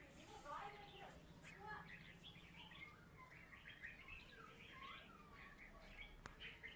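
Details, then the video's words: Former third-place contest Oriental magpie-robin from Salatiga in lively full song: a rapid, varied stream of whistled, rising and falling notes and chirps over a low hum. "Burung kacer salatiga gacor"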